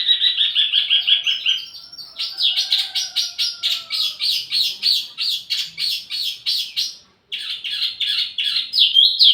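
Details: ['Wambi mini bird used to lure and tutor tledekan, singing a long chattering series: high trilled notes, then a fast, regular buzzy rattle of repeated chirps, a brief break, and more rattling with a rising squeak.']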